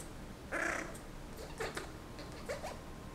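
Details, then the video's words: Courting pet Senegal parrot in breeding season, directing its attention at its owner's hand: one loud harsh grating squawk, then a few short squeaky chirps and clicks indoors. "My Senegal Parrot wooing me"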